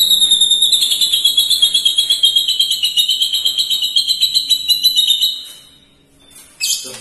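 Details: White-rumped shama singing a long lovebird-like imitation: a sustained, rapid shrill trill of high buzzy pulses, about four per second, lasting over five seconds, then a pause and a brief sharp note.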